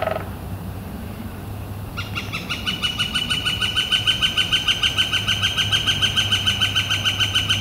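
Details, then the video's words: In spring, on a warm, clear April 28, 2014, a Northern flicker starts after a short lower note and a pause, then delivers a long, very regular series of loud high notes, several per second, over a steady low hum. "Northern Flicker Calling and Drumming"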